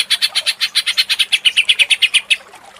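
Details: Greater green leafbird in agitated, lively ngentrok-style singing, used as a lure to provoke another bird: about nineteen sharp, high chattering notes repeated rapidly for two and a half seconds, then stopping into quiet.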